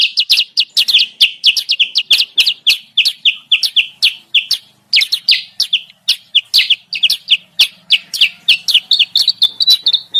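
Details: Sooty-headed bulbul lure recording, meant to draw wild birds down to a trap: a dense, fast stream of sharp, high chirps, several per second and often overlapping, with a few brief gaps.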